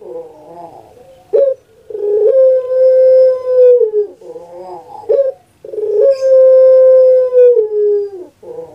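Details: Repeated puter pelung cooing from a kept dove: twice a rough gurgling lead-in and sharp kuk, then a prolonged level coo of about two seconds falling away at its end, in a quiet room.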